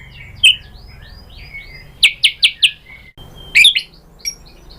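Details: White-rumped shama song intended to draw answers from other shamas, heard fairly quietly: scattered short whistles, a quick run of four sharp descending notes, then a few more high chirps over faint low hum.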